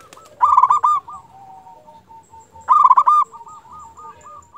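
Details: Local zebra dove, a lure bird meant to make other zebra doves call back, repeats two loud stuttering coo bursts a couple of seconds apart, each fading into a soft purring trill.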